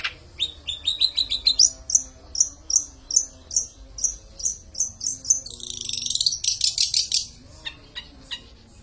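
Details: Long-tailed shrike singing a run of sharp, high whistled notes repeated roughly twice a second, then a harsh buzzy burst followed by quick chirping notes.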